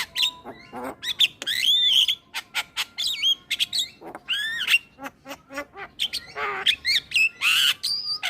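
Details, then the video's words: Male Javan myna singing as a lure for starlings: rapid, irregular chatter of clicks, squeaky whistled slurs and ringing high notes, with a harsh grating burst in the second half. "Ocehan Jalak Kebo Jantan Untuk Pancingan Segala Jenis Burung Jalak"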